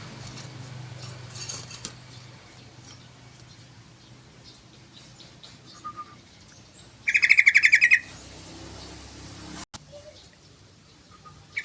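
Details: Lure and tutor recording of a yellow-vented bulbul singing actively: a single loud bubbly burst of rapid chattering notes midway, with faint thin calls and a sharp click against low background rumble.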